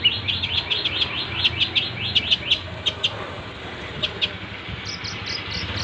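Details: Long-tailed shrike in full mimicking song: a fast string of sharp, high chattering notes, a pause, then a few thin descending whistles at the end, over a steady low rumble.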